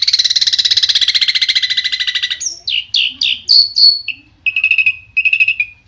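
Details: Long-tailed shrike, singing to provoke other shrikes, opens with a long rapid rattling trill, then switches to whistled swooping notes and steady drawn-out whistles.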